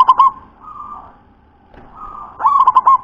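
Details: Local zebra dove with a very thick, deep voice: one rolling cooed phrase opens the recording, then a pause with a soft hum, then a second phrase of four or five quick throbbing coos.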